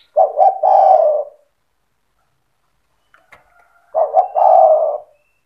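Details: Cetretan-style song of a Spotted dove in top form, used to provoke rival doves into singing: two phrases about four seconds apart, each a pair of quick hollow notes and then a drawn-out soft coo, with faint ticks between them.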